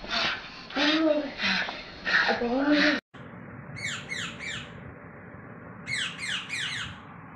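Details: Cockatoo pestering a cat indoors: two bursts of three harsh, descending squawks in quick succession, following a stretch of human speech with a short silent gap between.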